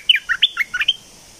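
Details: Red-whiskered bulbul, a bird said to be raising young, gives one quick phrase of five or six bright whistled notes, sliding up and down, clear against a quiet background with faint high hiss.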